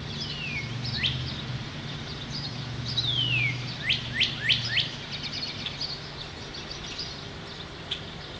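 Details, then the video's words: Northern Cardinal singing on the first day of spring, 2011: clear downslurred whistles followed by a quick series of sharp rising-falling notes, over a low background hum. "Cardinal Sings"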